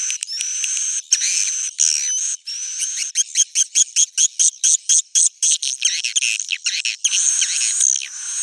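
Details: Swiftlet sound described as original and old-style: dense, very high, thin chirps and twitters, then a run of short clipped bursts repeated several times a second before returning to continuous shrill chatter, with no other sounds.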